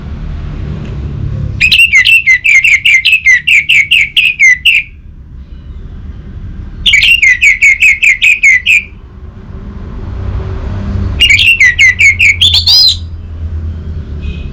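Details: Orange-headed thrush, locally anis merah, repeating a rapid trilled phrase of sharp chattering notes three times, each lasting two to three seconds with pauses between, played to coax silent birds into singing.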